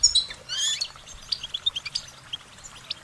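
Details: Goldfinches singing a series of short warbling notes: a few high twittering phrases at first, then quick thin chirps and tinkling notes repeated several times a second, fading toward the end.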